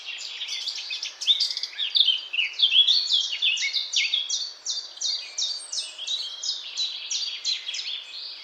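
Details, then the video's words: A Eurasian blackcap (Sylvia atricapilla) sings a fast, unbroken run of bright, scratchy, high, varied warbling notes with a brisk chattering rhythm; nothing else competes. "Vogelgesang: Mönchsgrasmücke"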